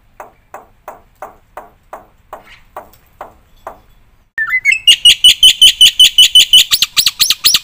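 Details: Black-winged myna song used as a model for training other birds; a series of soft evenly spaced knocking notes, then loud rapid harsh chattering bursts with a held high whistle.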